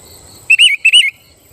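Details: Sooty-headed bulbul song used to provoke rival bulbuls into singing: two quick bursts of bubbly, warbled whistles, each a brief rising-and-falling phrase, against a faint steady high tone.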